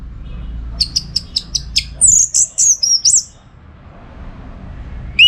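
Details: Orange-headed thrush training song for contests: six quick ticking notes, then a run of squeaky, sweeping high phrases, a pause, and one final clear whistle.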